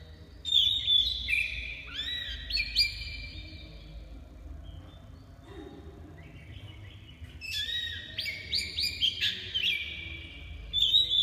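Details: Oriental magpie-robin of the black-breasted form in full song, giving rich whistled phrases with quick rising and falling notes in two long bursts and a quieter stretch between them, with a constant low background hum.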